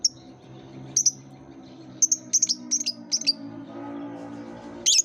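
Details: Song lure aimed at young lovebirds that are just beginning to call: high, shrill chirps, a lone note, then a fast irregular string of about six, ending in a harsher burst, with faint background hum.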